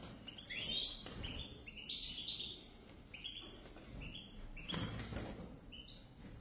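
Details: European goldfinch pair singing, a run of liquid twittering and tinkling notes, one louder sharp note early, then shorter chirpy phrases spaced a second or so apart.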